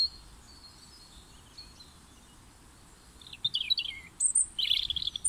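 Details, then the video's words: European robin singing full-throated in spring, February 2021, having caught a worm; about three seconds of near silence, then a burst of high, thin, twittering and trilled phrases with quick pitch jumps. Quiet rural background. "Roodborstje zingt uit volle borst"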